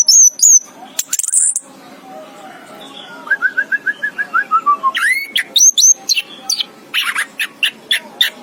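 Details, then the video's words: Orange-headed thrush (anis kembang) in varied song: high thin whistles, a quick run of about a dozen falling notes, then a burst of sharp, rapid chirps. "chirping of the anis kembang bird"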